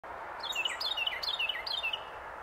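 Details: Carolina wren singing from a branch in Pennsylvania in January 2024: rapid rolling phrases of clear, bright whistled notes, each dropping in pitch, repeated about four times in quick succession over steady background hiss.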